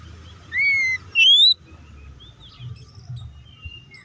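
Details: Kacer or Oriental magpie-robin giving a fighting song meant to provoke rival birds; two loud pure whistles, the first level with a slight hook, the second sweeping upward, then faint scattered chirps and low background hum.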